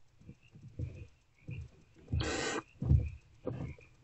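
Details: Barn owlets snuggling in a nest box in the small hours of the night, 2 March 2024; one loud rasping hiss stands out among soft low thumps and shuffling, followed by a fainter second hiss.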